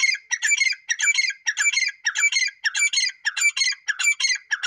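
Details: A grey francolin gives a long series of loud, scratchy, ringing phrases. They are evenly spaced at roughly one every 0.6 seconds, with no background noise.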